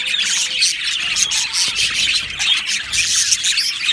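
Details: Aviary flock of Australian budgies chirping and singing: a steady wall of bright, chattering warbles with sharp squawks and brief whistled notes layered throughout.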